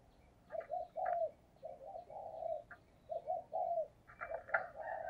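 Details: Spotted dove decoy bird giving 'thúc gù' coos used to lure wild doves: soft low two-note coo phrases repeating with short pauses, while higher chirps and calls from other birds sound in the background.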